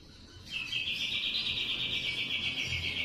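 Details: White-rumped shama in trotol style, agitated and calling a rival: after a quiet half second, a steady, high, buzzy trill runs unbroken for about two and a half seconds over faint low background hum.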